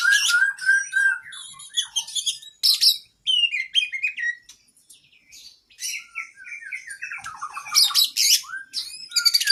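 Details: Full varied song of a kacer, the oriental magpie-robin, played to train caged birds: sweet whistled notes, sharp chirps and rattling trills in shifting phrases, broken by a brief pause midway before a burst of rapid varied notes.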